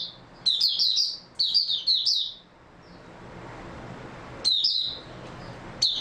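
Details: Oriental white-eye song recorded 3 March 2022: three rushing phrases of high, sweet chirps, a quiet spell of two seconds, then shorter twittering bursts resume.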